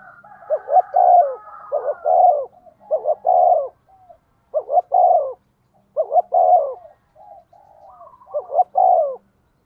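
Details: Captive decoy spotted dove in fast, driven cooing meant to lure wild doves into replying. Phrases repeat steadily, each a pair of short hooting notes followed by a longer warm descending coo, with quieter coos in the gaps.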